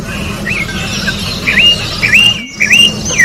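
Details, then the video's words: Orange-backed troupial singing in nature: a series of four or five liquid, upslurred whistled notes spaced about half a second apart, over a low steady hum. "Corrupião Cantando na Natureza melhor canto pra encarte Corrupião"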